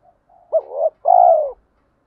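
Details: Spotted dove, male and female calling to stimulate birds in training; a short rising note followed by a long, slightly buzzy, falling coo, with a faint lead-in note.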